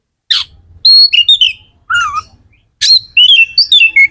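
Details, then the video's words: Magpie-robin singing in a full, lively style to stimulate other magpie-robins: harsh chip notes alternating with clear, wavering whistles that slide downward, in separate spaced phrases. "Suara kacer gacor"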